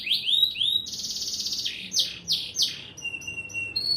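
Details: Canary in long-breath song, loud and high: rising whistled sweeps, a buzzy sustained trill, quick descending notes, then a long steady high note.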